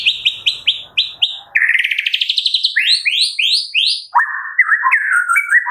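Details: Morning song of a white-rumped shama, meant to get caged birds singing: six quick repeated notes, a buzzy rising trill, four rising high whistles, then lower fluty warbling.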